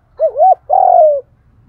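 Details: Spotted dove in the đồng thổ voice, a standard call coo for luring wild doves quickly. A low wavering double coo runs straight into a long, steady, slightly falling hollow note.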